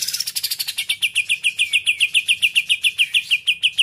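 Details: Cucak ijo, the Greater green leafbird, delivering 'muntah isian kapas tembak putar' song: a dense stream of rapid, high, chipping notes repeated several times per second without a break, slightly falling at the start and then steady.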